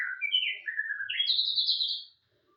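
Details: Singing white-rumped shama, full vigorous song: a fast, rich whistled phrase that starts with mid-pitched warbles, dips, then climbs to a high sustained sweet note before ending abruptly. The background is quiet.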